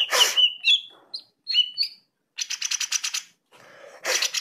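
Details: Greater green leafbird song, offered as a reference for training other birds: noisy bursts with thin whistles, short clear whistled notes, then a fast stuttering run of high chattering pulses.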